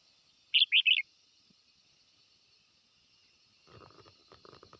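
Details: Red-whiskered bulbul calling its flock: one quick burst of three warbled, bubbling notes at a fairly high pitch, then quiet, with faint scratchy rustling toward the end.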